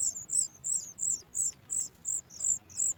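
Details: Nestling Sooty chat begging when it hears its mother arriving with food: high, thin, slightly buzzy notes repeated quickly at nearly three per second, each a short downward slur.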